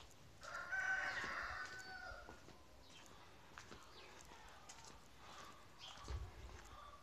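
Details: Farm chicken letting out a coarse, harmonic crow-like call of about one and a half seconds, followed by quieter clucks and occasional thumps against low background noise.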